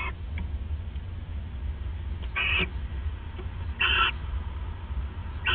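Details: At the nest shortly after 1 AM on December 29, 2014, owls bonding; two brief hoarse screechy calls about 1.5 seconds apart, plus a faint start of a third, over constant low-pitched mechanical hum.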